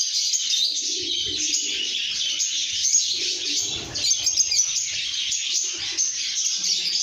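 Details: Happy lovebirds whistling and chirping: a thick layer of shrill overlapping twitters, with short lower notes and some rustling.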